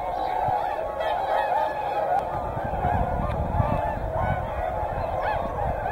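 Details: A mixed flock of whooper and tundra swans at Hyoko in Niigata keeps up a steady, overlapping chorus of trumpeting honks, with low rumbling background noise beneath.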